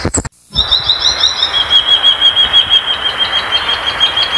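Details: Violaceous euphonia giving a sustained, high, warbling run of evenly repeated notes at a steady pitch after a brief gap, over continuous background hiss.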